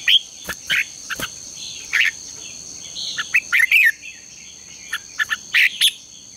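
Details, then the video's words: Red-whiskered bulbul in morning contest-training song, scattered sharp chirps and brief warbled whistles roughly every second or two, against a persistent high tonal hum. "Luyện chào mào hót sáng | chào mào hót đấu"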